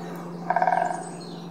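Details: A great spotted woodpecker of subspecies pinetorum utters one brief rattled call of rapid nasal pulses lasting under half a second, with a steady low hum underneath.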